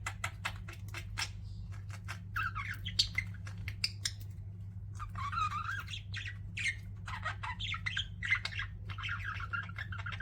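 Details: Pet budgies in a room giving soft warbling chatter and squeaky chirps mixed with sharp clicking ticks, fairly quiet against a steady low hum.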